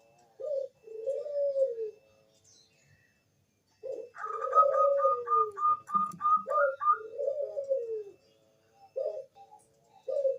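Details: Lure song of a Bangkok-type zebra dove, used to draw other doves into singing. Soft, low coos alternate with a fast, even series of higher ticking notes in the middle, then short coos end the passage.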